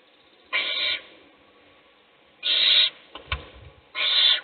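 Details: Owl chick being fed by its mother while the other chicks sleep; three drawn-out hissing screeches about half a second each, with low rustling and clicks between the second and third.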